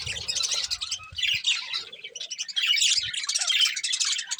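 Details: Continuous warbling chatter from a breeding pair of budgerigars, scratchy high chirps overlapping with no real pause throughout.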